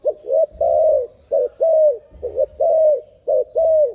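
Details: Accelerated turtle dove call: paired coos, a brief stuttered note then a longer smooth falling coo, repeated four times, with a soft low rumble beneath.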